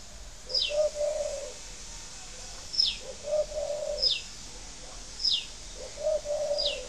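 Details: Spotted dove coo used to encourage breeding doves to lay, from a dove farm in Ba Vì, Hanoi, Vietnam: low, soft cooing phrases repeat about every 1.5 seconds, mixed with sharp, high, descending chirps from another bird.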